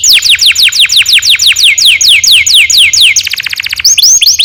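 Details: Canary long rolling song used as a lure to train young canaries to sing, a rapid series of repeated descending whistled sweeps, then a faster trill and a few rising notes, with a low hum underneath.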